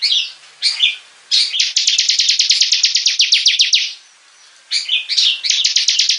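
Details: A bar-winged prinia kept for the bird hobby sings 'gacor': a few twisting opening notes, then a fast train of high, downslurred chirps, a pause, and more warbled phrases running into chirps.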